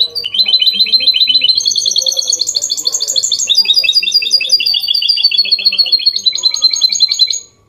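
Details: Goldfinch hybrid (mule) singing a clean song in the Málaga copy style: a fast, unbroken run of high, bright twittering notes, with phrases shifting pitch every second or so, repeated rapidly throughout.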